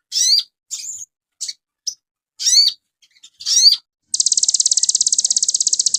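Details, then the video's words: Crested jay song from a master recording for training songbirds: short sharp high squeaky and swept notes in separate bursts, then a long, very fast, even, high-pitched buzzing rattle. "MASTERAN BURUNG SOGON DAHSYAT"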